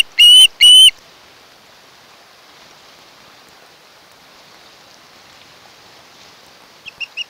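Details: From a nest cam of a mated osprey pair on Kent Island, Maryland, 1 August 2018, around 3 a.m.: two loud, high whistled notes in quick succession, then steady hiss, with a few fainter short whistles at the end.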